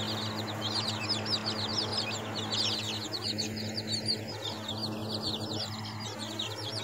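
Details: Week-old chicks cheeping in a crowd, high downward-sliding peeps packed closely for the first seconds, then thinning out, with a persistent low hum behind.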